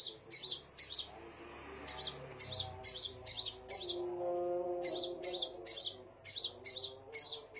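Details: Scarlet minivet giving strings of piercing high chirps at a brisk, slightly uneven pace, with a pause near the start, while a low tonal droning sound runs underneath.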